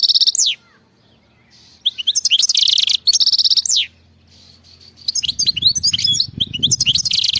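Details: Goldfinch khalawi song delivered in separate bursts, with rapid high trills ending in steep downward slurs and pauses between phrases. A final stretch of mixed twittering comes over low rumbling noise.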